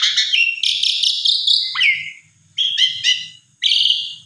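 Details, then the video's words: Loud whistled phrases from an Asian pied starling used as a provoking song for another bird: long bright slurred whistles sliding upward, a quick downward swoop, then separate short harsh notes, over a faint low rumble. "Jalak Suren Macet !! Coba Pancing Dengan Jalak Suren Ini !! Respon Ngotot Gacor Isian Komplit"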